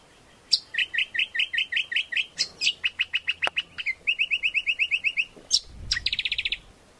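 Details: Greater green leafbird singing, a lure and master song for training birds, with long series of repeated whistled notes, sharp upslurs between phrases, and a closing fast trill.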